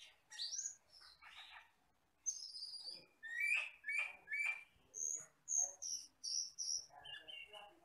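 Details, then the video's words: Common hill myna from the forest, a bird said to sing only after three years of age, delivering a lively run of varied high chirps and whistles repeated in quick succession. "MASTERAN BURUNG HUTAN CAMPERLING (CUCAK KELING)"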